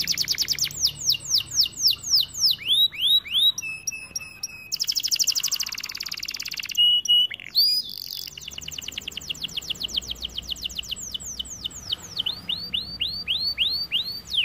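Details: Long varied song from a white canary: descending whistled notes, rolling buzzy trills, a sustained high tour, more rapid rattles and a closing run of rising upslurred whistles.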